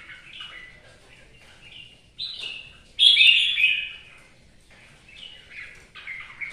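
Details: Red-whiskered bulbul singing in the rain: short whistled, warbling phrases separated by pauses, with a loud, bright, slightly descending phrase in the middle and softer notes before and after, against a quiet background.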